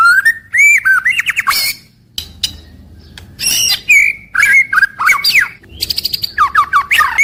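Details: Caged white-rumped shama giving daily morning-to-evening song: rich whistled phrases, rapid warbled notes and harsh buzzy bursts, broken by a short pause, then quick stuttering trills.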